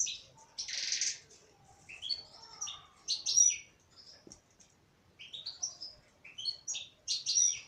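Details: Singing female European goldfinch gives a harsh buzzy note, then runs of rapid, bright twittering and rising chirps, phrases separated by short silences.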